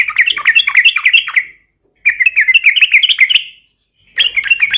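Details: Three energetic phrases of rapid, warbling chatter from a yellow-vented bulbul, a fighting song to provoke rivals, each phrase about one and a half seconds long with brief pauses between.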